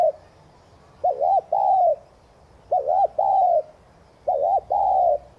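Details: Spotted dove, kept as a cage bird, cooing to stimulate other doves to coo: low, mellow two-part phrases near 600–800, a short hooked note then a longer level coo, repeated three times about every one and a half seconds.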